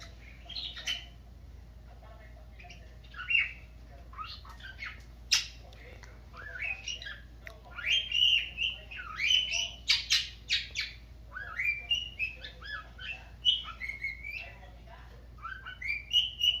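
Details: A pet cockatiel sings a rambling run of bright whistles, chirps and harsh squawky notes, bothering a parakeet nearby.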